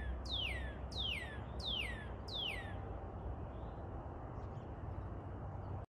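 A Northern Cardinal sings four loud, clear whistles, each slurring sharply downward, spaced about two-thirds of a second apart, over a steady low rumble of background noise.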